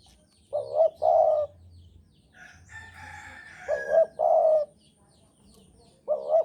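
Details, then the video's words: Javan spotted dove in strong breeding mood, singing eagerly: low hollow coos, each phrase a quick doubled note followed by a longer rolling coo, three phrases given, with a brief burst of harsher, noisier calling between them. "Derkuku Jawa Gacor Birahi Keras"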